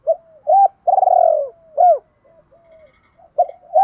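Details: Decoy spotted dove giving its urging and calling coos to stir new birds: quick arched notes, a pulsing trilled coo, another arched note, soft murmurs, then renewed short notes at the end.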